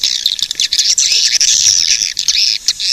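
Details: Swiftlets in a loud, dense, continuous chorus of high, buzzy, chattering twitters with no pauses between them.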